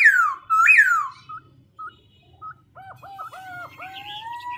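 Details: Black-throated laughingthrush switching voices as it sings: strong downslurred whistles, a few short spaced pips, then a string of doubled hooked notes and a soft drawn-out tone.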